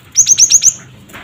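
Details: Cinereous tit, played as therapy and a lure to provoke other birds to call, giving a quick run of five sharp, high chirps at an even pace, each with a lower buzzy undertone, over a faint background hum.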